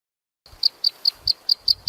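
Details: Black sunbird giving a steady series of short, high, clicking chips, about five per second, each sharp and even in pitch, with faint low thumps beneath.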